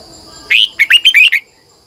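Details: Red-whiskered bulbul, a decoy bird, giving its long twisting double-voiced morning song, 2020. One loud whistled burst, then five or six quick, sharp notes that swoop up and down. The recording is otherwise quiet.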